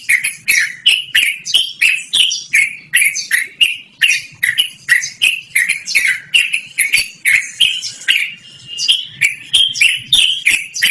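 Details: Yellow-vented bulbul, described as a male, in long continuous song for luring or training birds: loud bubbling chattered notes repeated about three times a second, steady throughout.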